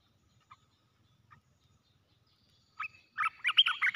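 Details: Red-whiskered bulbul in a cage used as a decoy: after a few faint soft notes and near silence, a burst of loud, liquid whistled notes breaks out in the final second.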